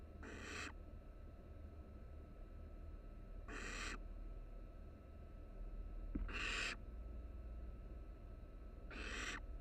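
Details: Three barn owl nestlings cuddling together in a camera-watched nest box at the University of Florida, Florida; four raspy, noisy hisses, each about half a second long, spaced roughly three seconds apart against a constant electrical hum.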